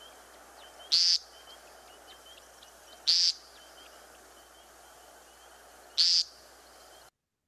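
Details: An American Woodcock in the Ottawa area, Canada, gives its spring courtship display vocalization toward dark. It makes three short, high, buzzy 'peent' notes two to three seconds apart, over a faint steady hiss.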